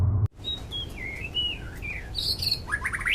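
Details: White-rumped shama singing in the wild, used to lure other shamas into song; slow whistled notes sliding up and down, then a rising burst of short notes at the end, with a low rumble at the start.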